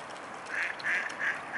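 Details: Short nasal notes from a mute swan family, 15 September 2015 at 19:05 in the evening: three brief, slightly buzzy honks evenly spaced about a third of a second apart, with constant soft hiss behind.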